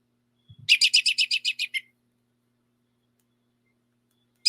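An American Robin gives its whinny: about nine quick, high, squeaky notes tumbling out in just over a second, then silence before another note begins.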